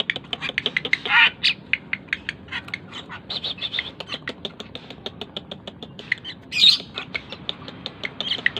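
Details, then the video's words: Tame Asian pied starling in full, persistent song as a lure for other birds: rapid, steady stream of dry clicking and ticking notes mixed with a few louder, scratchy squeals. "burung jalak keling gacor dor"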